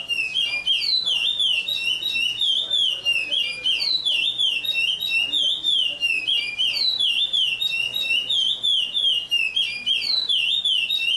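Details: Curió, or chestnut-bellied seed finch, from Paracambi, Brazil, delivering a sustained melodious whistled song of rapidly rolling, up-and-down slurred notes with short pauses between phrases; steady low hum beneath.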